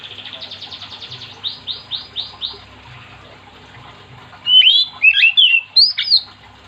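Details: Oriental magpie-robin in full song, kept to prompt other magpie-robins to sing: a run of rapid buzzy notes, a row of clear repeated whistles, then loud sweeping chattering phrases.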